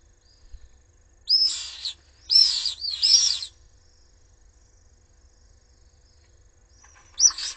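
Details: Three Common swift chicks in a webcam-watched nest in Jerez de la Frontera, attacked by an intruder while the parents are away: shrill, high screeching bursts, three close together in the first seconds, then one more near the end. Otherwise quiet.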